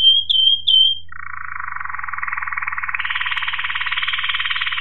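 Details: Waterslager Malinois canary, 2018, giving two short bubbling whistled notes followed by a long, steady, rapidly pulsed rolling trill that rises partway through, above a constant low hum.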